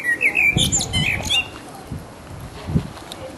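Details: Resident blackbird singing its mating song: a burst of clear whistled warbling notes followed by high twittering in the first second and a half, then quiet with soft low thuds.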